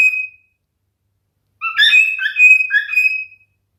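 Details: Male cockatiel song: a brief whistle fades out, then after silence comes a two-second phrase of clear whistled notes stepping up and down, finishing on a held tone.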